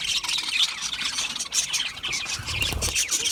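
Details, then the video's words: Budgerigar chatter, harsh and squealing, with dense overlapping scratchy notes and a brief low thump near the end. "Budgie Parrots Budgie Parrots Chirping sounds"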